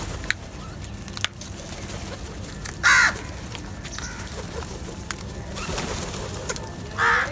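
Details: Crows feeding together in a group, competing for food; two loud, harsh, hoarse caws ring out, one near the middle and one at the end, over a steady low rumble with scattered faint clicks and taps.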